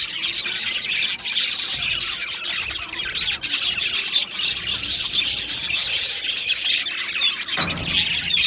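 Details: Colony of budgies in an aviary chirping and warbling together, the busy high chatter continuing through, with a brief low thump near the end.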